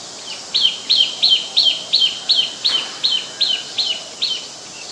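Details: Olive-backed (yellow-bellied) sunbird photographed at home on the evening of 23 March 2021, around 5:29 PM, giving a steady series of about eleven sharp, high chirps, evenly spaced at roughly three per second, with a faint background hiss.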